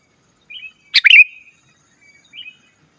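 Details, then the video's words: Sooty-headed bulbul in vigorous song, used as a lure call for wild birds and a master recording for caged birds: a loud burst of sharp chips with a slurred whistle, framed by short rising whistled notes, otherwise quiet. "Suara Burung KUTILANG GACOR Asli Tanpa ISIAN 100% Ampun Untuk Suara Panggilan dan Masteran"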